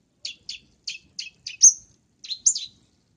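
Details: Long-tailed shrike luring sound: a short series of quick scratchy chips, then a loud, high, drawn-out whistled note, followed after a pause by two more slurred chirps.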